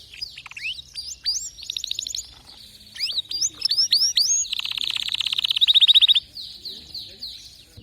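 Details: Canary song with rising whistled slurs and quick chip groups, leading into a loud rolling trill of rapidly repeated notes that stops abruptly, with softer notes afterward.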